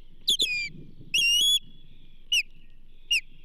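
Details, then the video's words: Ospreys at the Charlo nest on 29 May 2024 as a whole whitefish is delivered to the banded female: high, piping whistled chirps, a doubled note, a longer drawn-out whistle, then two single downslurred chirps over a low rumble. "A whole Whitefish for the Banded Lady - Charlo Osprey Nest"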